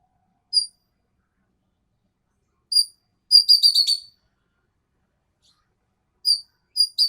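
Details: Green magpie from Sumatra singing actively: sharp, high whistled notes with bright overtones, singly and spaced a couple of seconds apart, then a quick rattling burst of about seven notes, and more single notes at the end; otherwise silent.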